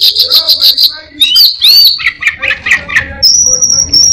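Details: Orange-headed thrush mimicking other birds and a cat: fast repeated high chips, swooping rising whistles, a chattering descending stretch, then a long steady high whistle held to the end.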